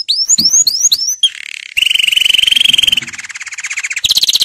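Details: Canary song offered for training young birds: four quick upswept chirps, a short buzzy note, then a steady rapid trill, a lower roll, and a final high rattling phrase.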